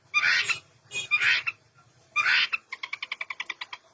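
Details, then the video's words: Long-tailed shrike lure song to prompt quiet birds to sing: three coarse, rasping bursts, then a quick series of about a dozen pulsed, ticking notes. "Variasi tembakan Cendet gacor full isian Cocok untuk pancingan burung cendet macet atau malas bunyi"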